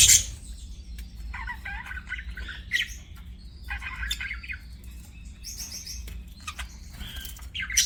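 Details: Pet budgerigar chirping: bursts of scratchy, warbling chatter with harmonic bands, broken by short pauses and sharp high clicks, over a low steady background hum.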